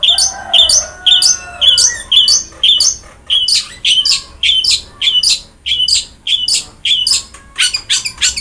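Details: Long-tailed shrike, vigorous song used to get a lazy shrike singing: steady repeated sharp chip-chirp notes about twice per second, with a short low warble at the start.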